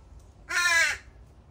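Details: A juvenile crow at a feeding spot where several crow families left their young in the morning, giving a single harsh, drawn-out nasal caw of about half a second, slightly falling at the end.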